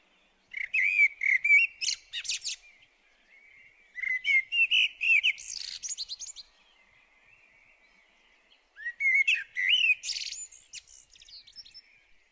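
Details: Common blackbird singing in Hungary: three separate phrases, each opening with rich warbled whistles and closing in a burst of high, squeaky twittering, separated by pauses of a few seconds in an otherwise quiet setting.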